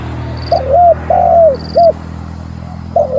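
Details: Spotted dove calling to challenge a rival, used as a lure recording: a mellow, hoarse cooing phrase of three notes, the middle one drawn out and falling, then a new phrase starting; a thin high whine sounds twice above it.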